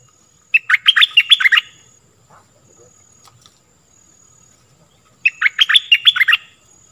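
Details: Stripe-throated bulbul song recording used to teach young birds and lure wild birds: two bubbly, warbled phrases of quick rising and falling notes, each about a second long and about five seconds apart, over a faint steady high tone.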